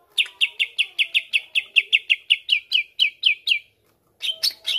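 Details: Greater green leafbird singing to provoke rivals: a steady train of about fifteen sharp, downward-slurred notes, a short pause, then a few higher chirps.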